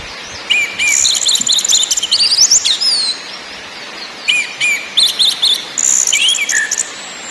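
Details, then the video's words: Orange-headed thrush song of the ngakrak, ngeplong and nyiul styles, played as a lure to make birds sing: loud, high, rapid bursts of repeated chattering notes and sharp whistled slurs, separated by a pause of about a second. "NGAKRAK NGEPLONG NYIUL BIKIN BURUNG GREGET EMOSI DAN GACOR"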